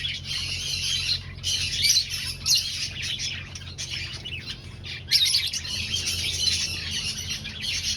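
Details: Colony of finches kept in an aviary while breeding and finding nests, giving bursts of shrill, rapid chirping that pause briefly around the middle, then resume louder; a low hum sits underneath.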